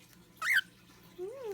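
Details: A female pet cockatiel perched up high indoors gives one brief, bright chirp that rises then falls, followed by a low human voice speaking; a loud fish tank is nearby.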